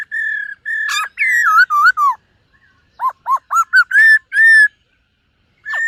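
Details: Morning voice practice of a silver-eared laughingthrush, with level whistles, wavering slurred phrases, a pause, then a string of short arched notes and a long flat whistle.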